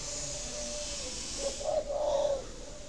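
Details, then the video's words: A single low, throaty spotted dove coo phrase, rising slightly then fading, from a Vietnamese dove-breeding farm near Ba Vì, Hanoi, where the sound is used to prompt laying; hissy background throughout. "Tiếng chim cu thúc đẻ"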